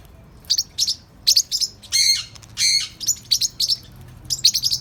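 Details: Young parrotlets (Forpus), 3–4 months old, playful and active: quick high, thin chirps in short bursts, broken twice by longer, harsher rasping squawks, with little background noise.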